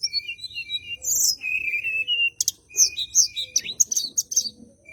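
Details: Bar-winged prinia singing energetically and seeking a rival, a lure for white-rumped shama song: thin high whistles and a sustained buzzy trill, then a rapid run of sharp chirps.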